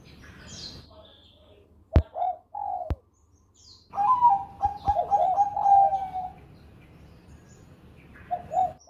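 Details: Zebra dove of the Bangkok type, a champion singer in the Susi Susanti style: two short soft coos, then a long mellow rolling trill of rapid cooing pulses lasting over two seconds, with a couple of sharp clicks before it.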